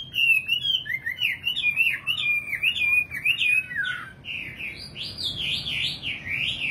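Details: Nightingale singing zigzag whistled notes in quick succession, dipping lower midway before rising into louder, higher repeated phrases.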